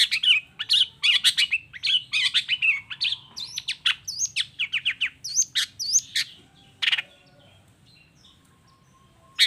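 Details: Chattering long-tailed shrike song of the 'toet toet' style, meant to provoke silent shrikes into singing: dense run of scratchy chirps and rising-falling whistles for six seconds, then near quiet with single sharp notes.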